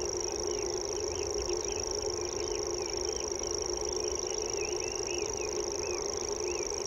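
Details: Common grasshopper warbler song: a steady, unbroken high-pitched reeling trill held on one level throughout, with varied chirping and warbling from other birds in the background and a constant low hum.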